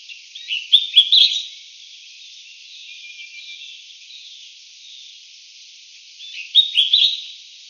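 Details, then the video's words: Collared finchbill, subspecies cinereicapillus, found in southern China, Southeast Asia and Taiwan, utters two short rapid chirping phrases roughly six seconds apart, bright and scratchy, against a faint steady hiss. "白環鸚嘴鵯/Collared Finchbill"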